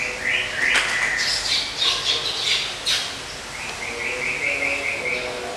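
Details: White-rumped shama, murai batu, singing during moult care: high clear whistled notes, a short wavering phrase early on, then a run of repeated bright whistles near the end, over constant background hiss.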